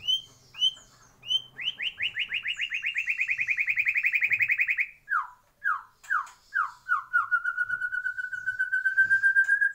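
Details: Song of a white-rumped shama kept in a breeding aviary. A few short whistles lead into a long, fast, steady trill, then a run of separate falling slurred notes, ending in a rapid trill that gradually rises in pitch.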